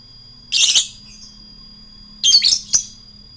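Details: Lovebird in its ngekek style, kept by bird hobbyists and said to provoke rivals; two short bursts of high, harsh, squawky chatter about two seconds apart, a steady faint tone behind.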